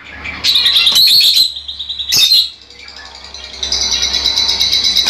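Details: Fischer's lovebirds, kept birds, sounds played to encourage pairing and mating; a long ringing high trill, a sharp squeak burst, then a fast buzzy chattering trill continuing to the end over a low hum.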